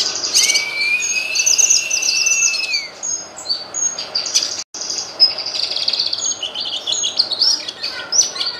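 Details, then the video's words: Cucak kinoy singing as tutor material for songbirds: a long steady whistle rising slightly over three seconds, layered with busy high chirps and trills that continue after a brief break. "Cucak kinoy masteran handal burung berkicau"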